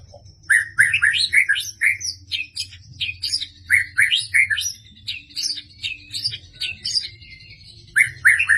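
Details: Medan white-rumped shama letting out all its sharp 'tembakan' shots: long, rapid sequences of loud chirped and whistled notes, mixed with scratchy high trills, briefly pausing before a final fast burst.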